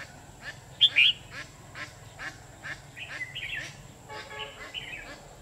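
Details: Red-whiskered bulbuls at a decoy-bird trapping site on 13 October 2019: a loud double chirp early on, then bright warbled and fluttering phrases later, with quieter talking underneath.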